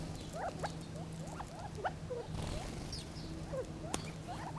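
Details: Gambel's quail giving many short, soft chipping and clucking notes, some rising, some falling, scattered irregularly over a steady low hum, with faint higher chirps in the background.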